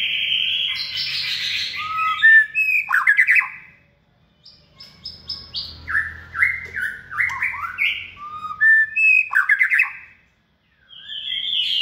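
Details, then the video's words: Caged white-rumped shama, hand-raised from a chick, in its second season and kept for singing contests, delivers varied loud whistled phrases, some rising and some falling, with quick chattering notes between them and two brief pauses. A low hum sits underneath. "chòe lửa dáng sẻ, hót cực bền"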